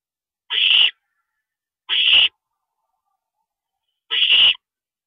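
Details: Owl at its nest at night on April 22, 2012, while a parent drops in; three short, grating hissed screeches spaced irregularly, with nothing else audible.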